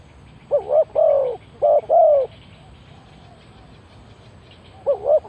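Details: Spotted dove used as a lure for wild birds, giving two rapid coo phrases of short note plus longer falling note, then a pause of about two and a half seconds before another short wavering note begins.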